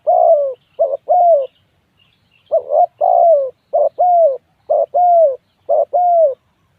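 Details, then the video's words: Spotted dove calling up close, loud and clear: repeated low, mellow coo phrases. Each phrase has a short note followed by a longer, slightly falling coo, with brief pauses between phrases and a quiet background. "tiếng chim cu gáy gu"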